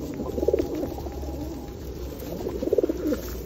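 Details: Feral pigeons gathered for feeding at Osu Kannon on a rainy day in 2021; two distinct bursts of throaty, bubbling cooing come early and late, with soft rain noise and low hum between them.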